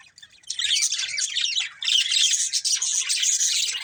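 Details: After a short quiet start, a colourful breeding pair of budgerigars breaks into loud, continuous scratchy warbling and chirping, high and dense, with one short dip midway.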